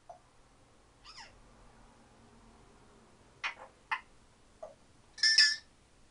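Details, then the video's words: Pet African grey parrot, ten years old, kept indoors and mimicking sounds: scattered short whistles, sliding falling notes and clicks, ending in a loud, harsh, multi-toned squawk, with the room otherwise quiet. "African Grey Talking/Sound Effects"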